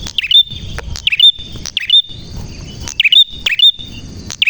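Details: Clear prinia song: snapping chip notes, each trailing into a thin high trill, given in pairs and short runs at a fast pace, with little background noise.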